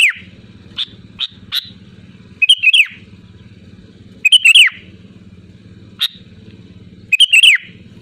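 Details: Vigorous sooty-headed bulbul song with quick slurred whistled phrases every few seconds, separated by single sharp chirps, against a steady low throbbing hum like an idling engine.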